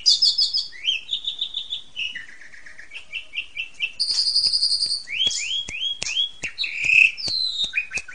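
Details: Ngentrok therapy song of an Asian pied starling, used to rouse home-kept magpie robins: a varied string of quick trilled notes, stepped whistled runs, upward-sweeping chirps and sharp clicks, loud and fast throughout.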